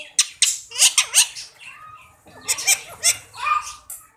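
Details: Talking Indian parrot repeating Mian Mithu, with loud harsh squawks and shrill syllables in two bursts separated by a short, quieter spell of talking-like sound.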